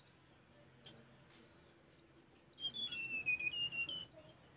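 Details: Tledekan gunung in a master recording for caged birds: after sparse high chirps comes a clear thin whistled phrase falling step by step, set against a faint buzzing background.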